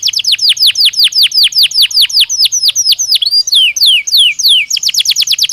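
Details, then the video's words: A Belgian canary sings naturally, pouring out a steady train of piercing down-slurred notes, breaking midway into slower looping whistles before resuming a quick chattering trill. "Som de 1 Hora com Canario Belga Cantando Naturalmente"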